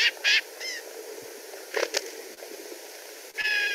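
Black-capped Gnatcatcher giving harsh, nasal, buzzy calls in short bursts, three quick notes, then two more spaced out, over a low background hiss.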